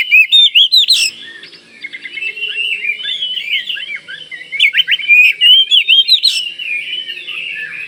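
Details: Kalimantan Oriental magpie-robin in full, vigorous song meant to draw replies from other magpie-robins. Loud staccato notes open the phrase, then a softer rambling warble runs on, and another burst of sharp upswept whistles follows near five seconds.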